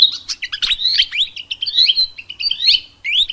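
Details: Wild Mugimaki flycatcher in lively, continuous song: a dense, rapid stream of high twittering, trilled and sliding whistled notes that barely pause, with a faint low hum beneath.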